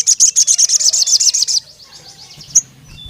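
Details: Sogon, or crimson sunbird, calling a rival male: about a dozen rapid, piercing high chips in a steady run, fading out, followed after a pause by one lone sharp note.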